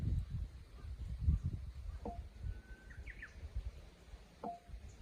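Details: Countryside chorus of Japanese bush warblers with running water: a faint, level whistle leads into a short burst of higher notes. Separate sharp calls from another bird sound twice, over a strong low rushing of water.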